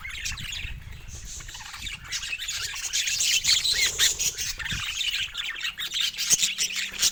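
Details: Pet budgies squawk and chirp in a crowded, fast chatter that grows louder after the first few seconds, with sharp clicks and rustling mixed in.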